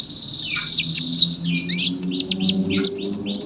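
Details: Sunbird singing continuously for training young birds: a rapid stream of high, thin, downslurred squeaks and twitters, with a constant low hum in the background.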